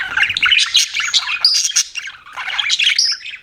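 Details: Busy chirping from pet budgies: a tight run of high, scratchy warbles and quick squeaky notes with barely a break.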